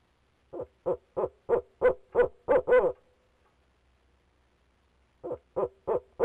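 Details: Inside a Leesville nest box in 2018, a male barred owl gives a run of eight fast hooting notes, the final ones drawn out and wavering, then falls silent for about two seconds before starting another quick series.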